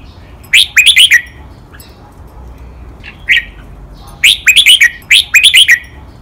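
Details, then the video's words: Caged red-whiskered bulbul, training song in the doubled-note 'lak wai' master style. After one crisp phrase of five quick whistles and a lone note, two more rapid phrases follow closely late in the recording. "นกกรงหัวจุก | เสียงร้องเบิ้ลๆ นับดอก แม่บท ลากหวาย คมชัดทุกดอก"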